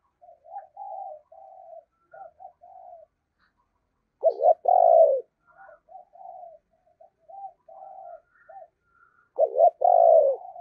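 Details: Spotted dove decoy bird, 'thổ' voice, cooing to draw wild doves: strings of soft low coos, broken twice by a loud, rough, rising-falling two-part coo, about five seconds apart.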